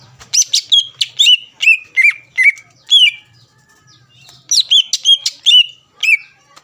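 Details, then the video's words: Greater green leafbird song, played to provoke rival leafbirds into singing and raise their aggression: loud, sharp chirps and short whistles in two fast bursts separated by a pause, with a faint low hum underneath. "PANCINGAN CUCAK IJO GACOR AHLI MEMANCING CUCAK IJO LAWAN AGAR EMOSI"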